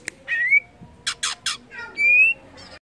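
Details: Greater green leafbird song for stimulating other leafbirds to sing: a rising whistle, three harsh noisy bursts, then a long level whistled note.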